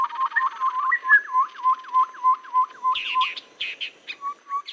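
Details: Babbler call played as a trapping lure meant to work in rainy and dry seasons: rapid repeated hooked mid-pitched notes, roughly eight in a row, followed by harsher, higher chattering bursts and a few softer notes at the end.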